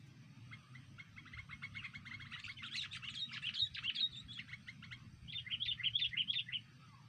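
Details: Lure call of the Sooty-headed bulbul for bird trapping: rapid, dense chattering of clipped chirps, swelling into louder, sweeter ringing notes, then a short pause and another lively burst, with low background hum.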